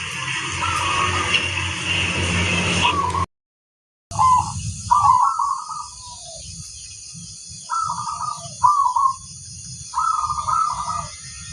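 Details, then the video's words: Energetic local zebra dove song: after a noisy stretch and a gap, separate phrases of fast, stuttering coos repeat every second or two, with hiss and low hum in the background. "suara sang masteran burung perkutut crosing"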